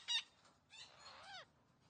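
A green parrot gives a sharp, brief squawk, then a second-long warbling, speech-like run of rich tones that bend downward at the end.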